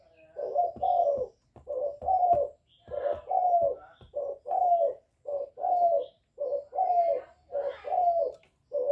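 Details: Calling coos and bowing coos from a young spotted dove, delivered in a style said to excite decoy birds; steady run of low, throaty two-part coos, roughly one phrase per second, with faint clicks underneath.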